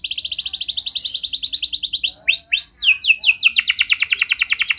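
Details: Canary singing a lure song to coax other canaries into steady song. A long, even high trill leads into a few separated rising whistles. Quick downslurred notes and a renewed rapid trill follow.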